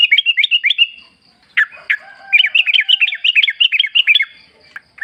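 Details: Yellow-vented bulbul singing in the wild for a lure recording. Quick, lively phrases of bright, bouncing chirps repeat, broken by a short pause, with a faint lower tone held underneath.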